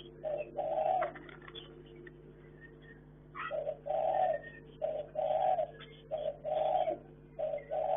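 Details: Caged Chinese hwamei in a hanging breeding cage, singing repeated short rich warbled phrases about every second, with scattered higher notes and a constant low hum.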